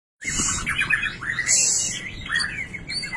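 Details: White-rumped shama of the blorok colour variety, a rare singer; rich, fast warbled song of sliding whistles and chattering notes around mid to high pitch, with a sustained piercing high note near the middle.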